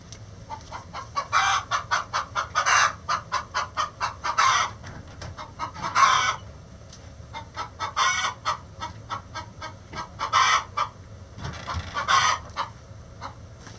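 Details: Chicken egg song: bursts of rapid, evenly spaced clucks that build up and end in a louder, drawn-out squawk, the pattern repeating every one to two seconds across the recording.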